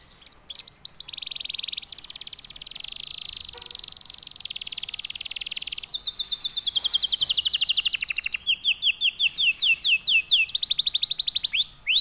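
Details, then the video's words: Silver snow canary in strong breeding condition pouring out song: long buzzy rolling trills, some held steady and some with rapidly repeated sweeping notes, shifting between tours without pause, loud and continuous for about twelve seconds. "CANARY SINGING 26 | SILVER SALJU OVER BIRAHI"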